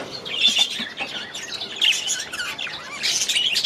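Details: Several captive budgies in an aviary chatter together: bright, scratchy warbles and quick chirps overlap in a busy, steady stream, with louder bursts near the start and the end.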